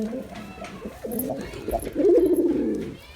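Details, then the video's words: A male pigeon gives a quiet lead-in, then one loud, throaty, wavering coo that rises and falls over nearly a second. "Pigeon Sound Effect (Ultra High Quality) || Male Pigeon Super Performance"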